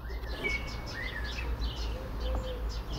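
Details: Common blackbird perched in its favourite Port Orford cedar, a dove close by, giving clear whistled phrases with quick higher twitters, over a steady low hum and a few faint lower tonal notes.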